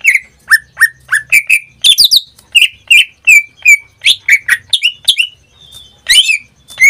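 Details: Caged greater green leafbird from Indonesia in full song: a quick series of bright whistled notes, mostly falling slurs, mixed with harsh high chips and buzzy bursts, roughly eighty notes a minute, irregularly spaced.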